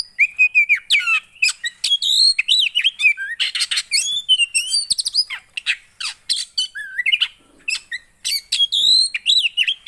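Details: Loud, sustained Javan white-eye song meant to set off a non-singing bird: nearly nonstop high twittering, wavering whistles and rapid chirps tumbling over each other for the whole stretch.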